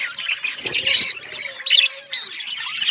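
Budgerigars keep up a busy, scratchy warble of high chirps and squeaky notes, with short bright whistles breaking through.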